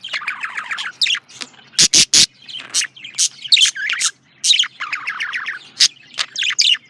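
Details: Male budgerigar chattering with quick strings of descending buzzy chirps, interrupted by a few loud sharp clicks, with the rapid warble resuming between short pauses.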